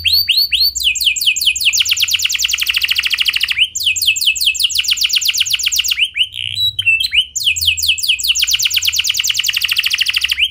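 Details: Clear rolling canary song for prompting other canaries to join in: three long bouts of rapid buzzy trills, each opened by slurred rising whistles and briefly separated by short twittering notes, faint hum throughout.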